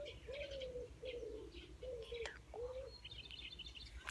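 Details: An unidentified light-brown, dove-like bird with green on the wing, singing near a home, gives four low, hoarse, cough-like notes, each about half a second long, while other birds chirp higher in the background.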